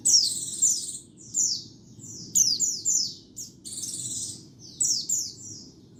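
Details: A white-eye sings for luring birds, cleaned of environmental noise: dense, high-pitched phrases of downward-slurring whistles mixed with buzzy trills, in bursts about every second, above a steady low hum.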